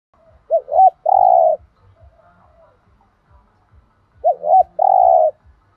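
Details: Spotted dove in the 'thổ đồng' voice style, giving 'thúc gù' cooing: two short hooked notes, then a long steady coo, repeated after about three seconds, with soft low thumps underneath.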